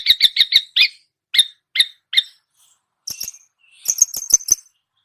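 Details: Mimicking long-tailed shrike: rapid, rasping notes, then several slower squeaky ones, a pause, and a quick run of thin, high, piping chips.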